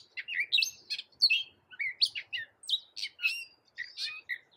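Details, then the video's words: Gray catbird, a small American bird able to imitate a cat, singing a fast jumble of varied high chirps, squeaks and slurred whistles, each note different, tumbling on without pause against silence. "Suara Masteran Burung Kecil Gray Catbird"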